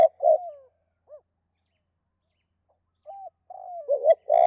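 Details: Spotted dove in two-beat cooing: a coo with a falling tail, a lone short coo, silence, then a new phrase builds with soft opening notes into loud throaty coos.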